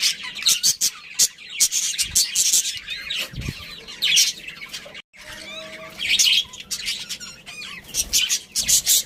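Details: Budgerigars from a breeding pair and family, chirping in high squeaky bursts and warbles, broken by a brief silence around five seconds, then quick rising chirps resume.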